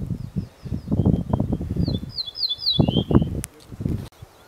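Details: Male ortolan bunting singing in mid-Sweden: a short phrase of high, thin repeated notes dropping to a lower, drawn-out ending, over heavy low rumbling wind.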